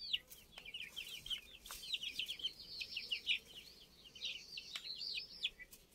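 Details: Older chicken chicks: a continuous chorus of high, thin peeps and trilled cheeping notes overlapping from several birds, with a few sharp clicks.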